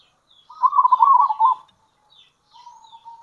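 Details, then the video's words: Local zebra dove calling in kerot and bekur style to lure wild zebra doves: one full rolling coo of rapid soft beats lasting about a second, then a faint drawn-out hum trailing off. "Panggilan Perkutut Lokal !! Perkutut Lokal Kerot Gacor Dan Bekur Ampuh Untuk Pancingan Perkutut"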